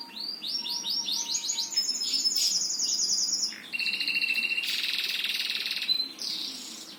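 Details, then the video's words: Birdsong with a run of rising whistled notes that accelerates into a sustained high buzzy trill, then a lower pulsed rattle and a final short whistle. "Burung Pada Berkicau"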